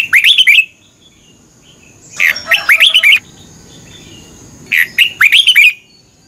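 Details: Red-whiskered bulbul in morning contest song: three rhythmic phrases of four to six hurried, upslurred and downslurred whistles, each lasting under a second and separated by roughly two seconds of quiet.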